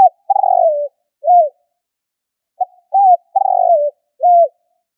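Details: Spotted dove coos meant as a trapping decoy, two phrases about two seconds apart, each a vibrating downslurred coo then a crisp humped note, preceded by a soft brief note, with no background noise.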